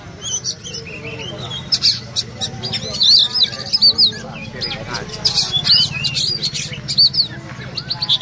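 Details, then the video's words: Oriental magpie-robin singing hard in a fighting bout: sharp, high whistled notes and quick chattering phrases come in bursts, over steady chatter from people talking nearby. "Kacer jos tarung ngotot"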